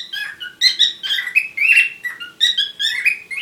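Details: Parrots during courtship giving continuous chattering warble: quick squeaky notes and short whistles jumping up and down, in bursts about every half second, with a faint steady background hum.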